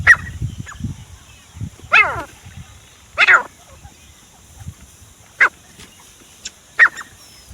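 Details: Grey francolin, known locally as desi teetar, calling in a hunting setting: loud, harsh, harmonic-rich notes given singly at intervals of one to two seconds, each a short rising-falling burst, with fainter notes and low rumbling background noise.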